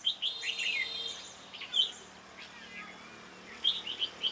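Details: Red-whiskered bulbul during a trapping session, a bird with a sharp, lively voice, giving bright whistled and chirping phrases in bursts, a quick cluster of notes, then a pause, then a rapid run of short high notes near the end.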